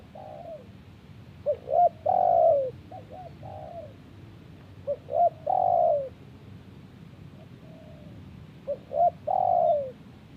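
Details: Spotted dove calling in answer to wild birds: soft, low coo phrases, each a couple of short notes leading into a longer, drawn-out falling coo, repeated about every three to four seconds over quiet background hiss.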